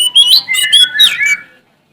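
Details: An Oriental magpie-robin from Sumatra, male, sings to challenge rivals in a quick phrase of slurred, warbling whistles that rise and dip before fading out.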